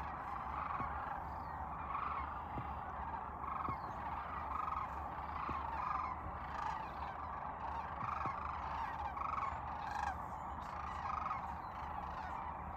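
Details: Sandhill cranes gathered during spring migration in Nebraska: distinct rattling, trumpeting calls ring out every second or two over a constant massed chorus from the flock.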